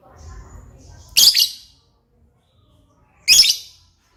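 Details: Gacor lovebird, a very vocal bird: a soft low murmur gives way to a piercing, rasping shriek, then about two seconds of silence before a second, equally harsh screech ends the passage.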